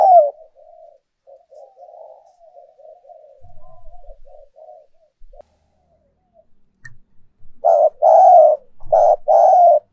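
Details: Decoy spotted dove song, used to make doves coo eagerly: quiet, breathy low murmuring for several seconds, then a brief pause before a run of loud, mellow coos repeated in quick succession.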